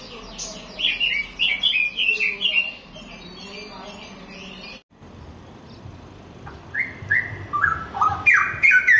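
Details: Young forest-caught straw-headed bulbul: a fast run of bright, high warbled notes, a pause filled with low background rumble, then loud slurred whistles rising again at the end.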